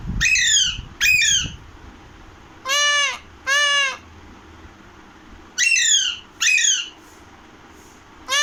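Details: Pahadi parrot, the Alexandrine parakeet, calling in pairs: two sharp falling screeches, two longer arched squawks, then two more falling screeches and the start of another, with faint room noise.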